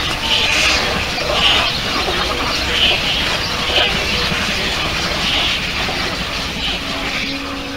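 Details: A breeding colony of cattle egrets and little egrets gives a constant wash of hoarse, croaking calls, with harsher squawks standing out roughly once a second.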